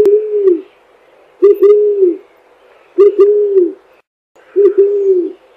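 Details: Eared dove, a species of South America, giving soft low cooing phrases, a short coo then a longer drawn-out one, repeated roughly every one and a half seconds.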